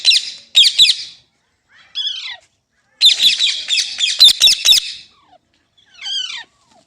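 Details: Parrot, likely a pet in India, alternating loud harsh squawks with short squeaky notes that rise and fall, separated by silent gaps, in a quiet setting.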